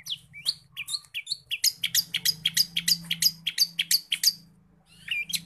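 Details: Long-tailed shrike song full of imitated forest birds, played to rouse other shrikes: a few rising whistled notes, then a fast run of sharp repeated chirps before a short pause and more whistles, over a low hum.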